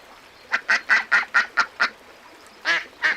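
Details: Several clipped, nasal quacks from little ducks come in a brisk run of seven, about two a second, then two more after a brief gap. The background is otherwise quiet.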